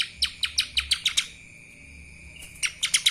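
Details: Lesser green leafbird giving kapas tembak song: a run of seven quick, sharp, high chips, a pause of over a second, then another rapid cluster of bright notes, with a steady high hum throughout.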